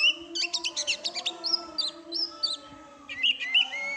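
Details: Oriental magpie-robin song of fast stuttering chips, then short whistled slurs repeated several times, with a steady humming background.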